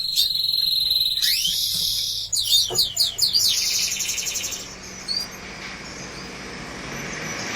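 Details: Canary chicks with their mother as she feeds them. Shrill, high chirps and rapid squeaky trills pour out densely for about four and a half seconds, then fade. Steady background hiss throughout.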